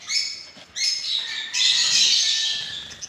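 Gouldian finch giving thin, high, whistled notes in three quick bursts, the last one longer and hissier.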